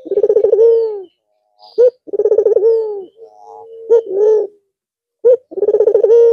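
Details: Manggung song of a red-eyed white Barbary dove resuming after a long rest over the Eid al-Fitr holiday: repeated low coos, each a throaty stuttering run melting into a held hum, separated by brief sharp notes and soft murmurs.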